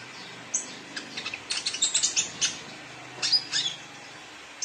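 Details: Young male sunbird singing vigorously: a run of sharp, high twittering notes and thin whistles, quick and uneven, bunched in two bursts over a quiet background.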